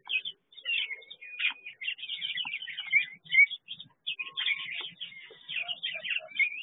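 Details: Aviary chestnut-flanked white-eyes give a steady stream of thin, high twittering notes with short rising whistles, chattering almost without pause.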